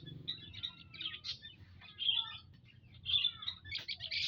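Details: Munias in an aviary on Saturday, 19 April 2025, giving short high chirps in loose bursts that cluster around two moments, with several birds overlapping and faint low hum underneath.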